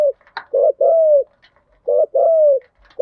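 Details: Spotted dove lure coos, male and female, used to excite decoy birds in thúc gù and gáy gọi styles: two coo pairs, a short note followed by a long drawn coo falling at the end, with a sharp click.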